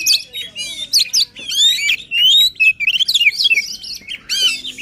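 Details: Emotional full song of a white-rumped shama intended to get an unwilling bird singing, with varied loud whistles, rising glides and a fast rattling sequence of short notes in the middle.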